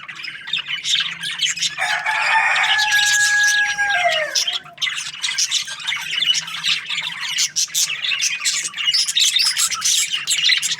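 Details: Breeding pairs of budgerigars in an aviary chirp busily, with rapid scratchy notes and a clear descending whistled tone standing out for about two seconds amid the flock's chatter.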